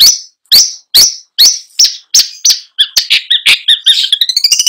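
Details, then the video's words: Long-tailed shrike song with imitative filling: six loud, evenly spaced harsh chack notes, then an accelerating jumble of warbled, whistled phrases ending in quick rising twittering. "PENTET GACOR FULL ISIAN | LAGU MEWAH | NGEROLL NONSTOP"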